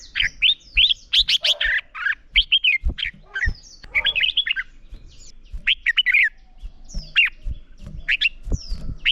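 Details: Red-whiskered bulbul fighting song, recorded to spur wild-caught birds into singing; dense run of loud chirps and bubbling whistled notes, some harsher squawky elements, short bursts repeated through the stretch.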